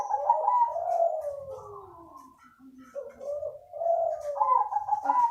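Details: Zebra dove song, kept bird of the krosing style, praised as soothing: soft low coos in a flowing, wavering phrase, a rolling trill rising and falling, pausing midway then resuming, indoors.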